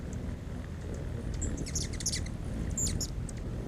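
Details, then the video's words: Hummingbirds feeding on nectar make a low, steady buzzing hum with their wings throughout, with thin, high squeaky chirps flickering through the middle and near the end. "นกฮัมมิ่งเบิร์ดตัวจิ๋ว เสียงมหัศจรรย์ดังจากปีกนกตัวเล็กๆ The sound of hummingbirds flying."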